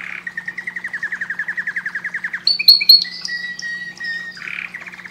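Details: Canary singing to stimulate breeding: a long, even, rattling trill of about twenty-five quick notes, then loud sharp chips and high level whistles, ending in a renewed buzzy trill, with a low steady hum in the background.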